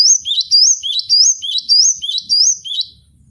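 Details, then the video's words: Cinereous tit, called gelatik batu, caged and singing masteran-style: steady chain of paired whistles, a low upward note then a high drawn-out one, about seven repetitions in under three seconds. "MASTERAN GELATIK BATU BONGKAR ISIAN vol.01"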